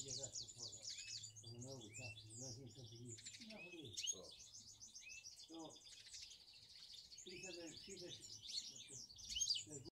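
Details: Three cock finch mules, bred last year, in full song: dense, high-pitched chattering with fast trills and short whistled slurs running on without pause, over a man's voice speaking nearby.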